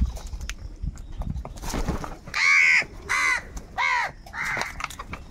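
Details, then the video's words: Crows fighting for food with angry calls. After a noisy start, four harsh caws follow about every half second to second, the last one fainter. "Different kauwa ki awaz - Angry kauwa ki awaaz | Crow bird unity anger and sound for food"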